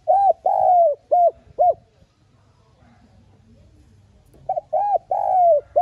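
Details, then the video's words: Spotted dove cooing as a lure call to stimulate other doves: two loud phrases of smooth, mellow coos, each with a longer drawn-out note falling slightly in pitch, separated by a brief quiet pause. "Tiếng Cu Gáy Mồi GỌI THÚC NHẸ GIỌNG"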